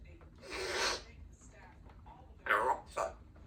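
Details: Two-year-old female Congo African grey parrot, kept as a pet in a country home, practicing her words and sounds in the afternoon: a breathy hissing burst, a pause, then two short raspy utterances with bright whistled tones.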